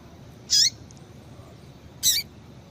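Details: Female double-collared seedeater calling to excite males: two separate high, bright chirps with a falling tail, about a second and a half apart, over a quiet low hum.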